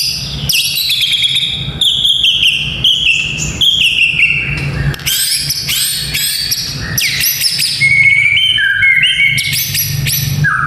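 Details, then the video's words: White-rumped shama song used to train the nerve of young fighting males: loud, varied whistled phrases sliding downward, mixed with harsh rattling bursts and sharp high notes in a dense, continuous stream over a low steady hum. "Murai Batu Fighter - Suara Ini Melatih Mental Fighter Murai Muda"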